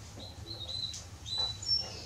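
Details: A male Belgian canary of the Salsa type sings thin, high whistled notes and short trills in quick bursts over a low steady hum. The song is meant to warm up other canaries.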